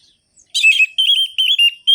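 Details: Orange-headed thrush in full song, used to rouse sluggish thrushes to sing, in a sharp rhythmic rolling style; loud, clear whistled phrases with warbling trills, repeated in tight bursts about every half second.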